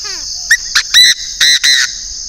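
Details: A northern Vietnamese Chinese francolin kept as a decoy bird calls loudly: five rasping, clipped notes, with the final pair drawn out, delivered in quick succession against a constant shrill buzz of insects.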